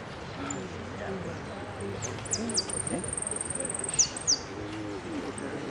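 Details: A yellow Hooded Siskin, a competition finalist in repique song, gives thin, very high twittering song with quick sweeping notes and a sustained bright trill, over low murmuring background noise.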